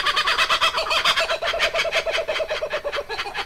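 Laughing Kookaburra in a loud, rapid cackle of harsh, chuckling notes, about two per second, rolling on with a throaty, monkey-like rhythm.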